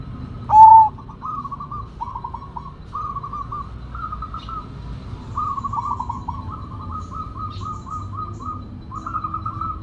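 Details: Sumbawa zebra dove singing actively with a big voice: one loud, drawn-out sliding coo near the start, then a long run of soft, rapid trilled cooing phrases repeated almost without pause, over a steady low background rumble.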